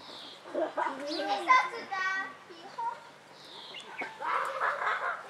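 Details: Sickle-billed Vanga (Falculea palliata) at Vogelpark Walsrode, Germany, giving a short run of nasal, wavering, harmonic-rich calls, with higher chirps from other birds and a low background murmur.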